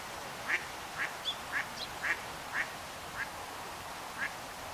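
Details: Eastern Spot-billed Duck at the Onda River, Tsurumi River system, Japan, in cherry blossom time, giving short, clipped quacks at an uneven pace, about eight in under five seconds, against steady faint hiss.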